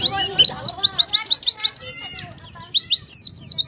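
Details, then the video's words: Fast, tumbling high chirps from an oriental white-eye, a 'buka paruh' song meant to make birds open up and sing, delivered as dense sweeping notes several per second with fainter lower harmonics. "PLECI BUKA PARUH"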